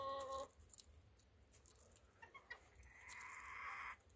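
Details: Chicken opening with a brief loud harmonic note, then a few soft clicks, followed by a harsh, noisy squawk of about one second.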